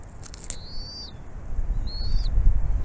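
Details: Bald eagle at its nest on a nest camera, the mother bringing food to feed her chicks: two thin, high whistled calls, the first longer and sliding slightly downward, over a steady low background rumble.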